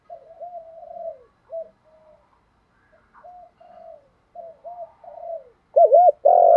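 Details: Spotted dove cooing in a repeated 'thúc' and calling style with a bronze-toned voice, played to train newly caught captive doves: soft low coos rising into a loud wavering double note and a long drawn final coo.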